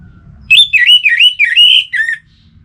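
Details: Cage-kept orange-headed thrush from Singaraja, North Bali, singing to rouse other birds: one continuous warbling phrase of sliding, looping whistles lasting under two seconds.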